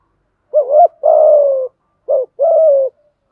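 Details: Male and female spotted doves cooing as a lure: two phrases, each a short rising-falling note followed closely by a long, low, slightly descending coo, in a quiet setting.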